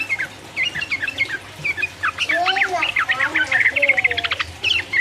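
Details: Yellow-vented bulbul in lively 'ropel uplik uplik' song, used as a lure to provoke rival birds; rapid bright chirps and slurred whistles, with lower rolling notes from another caller mid-clip.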